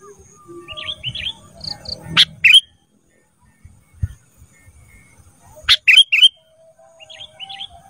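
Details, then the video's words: Cage-bird training recording of a sooty-headed bulbul: soft whistled phrases, two loud chip bursts about three and a half seconds apart, and light low background noise between them. "Masteran Kutilang Emas Mudah Gacor"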